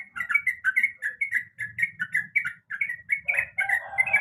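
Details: A breeding female sooty-headed bulbul calls the male with repeated short, bubbly phrases about every quarter second. A low rumbling noise runs underneath, and a harsher, broader sound appears near the end.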